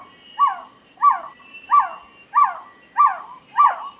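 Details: Hollow, falling single notes from a trogon, six in a row at about 0.6-second intervals, over a soft background hiss.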